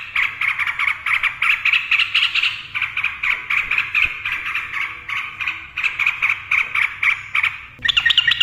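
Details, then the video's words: Yellow-vented bulbul in a long rolling song meant to lure quiet birds to sing: a steady, dense stream of rapid chattering notes pulsing several times a second throughout. "TRUCUKAN GACOR NARUNG ROPEL cocok untuk pancingan burung TRUCUKAN DIAM"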